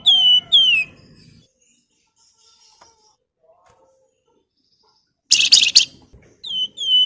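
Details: Caged flamboyan singing in full voice, described as nyiul and nyuling with crecetan chatter: clear descending whistled notes, then a harsh dense chattering burst near the middle, then two more slurred whistles.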